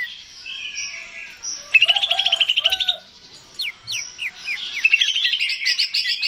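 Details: Greater green leafbird, kept bird, song meant to stimulate singing: soft warbles, a quick trilled run, rising slurred whistles, then a closing burst of rapid high notes.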